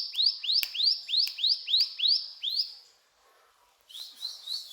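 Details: Brown prinia in full cetrakan song: seven rising chip notes in quick succession, then a short pause, then fainter high notes resuming.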